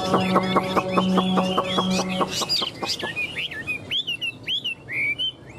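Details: Caged tame Chinese hwamei displaying wings and tail; a burst of low, buzzy, rhythmic clucking pulses gives way to loud, sharply rising and falling whistled notes repeated about every half second.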